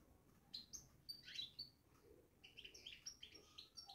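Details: Babbling European goldfinch in a cage, rapid run of clear high chirps and downslurred twitters, pausing briefly before a denser second spell of chatter.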